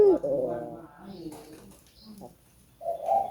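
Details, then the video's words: Albino collared dove in a repetitive cooing performance meant to stimulate other doves to call; low hoarse coos at the start and end, with a quieter murmuring stretch between. "Suara Burung Puter Gacor ,merangsang burung puter agar bunyi"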